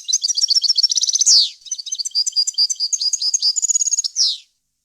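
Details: European goldfinch singing a fault-free, varied wild-style song for teaching chicks to sing. Dense, rapid tinkling trills are twice capped by harsh, sliding downward buzzes, then the song stops.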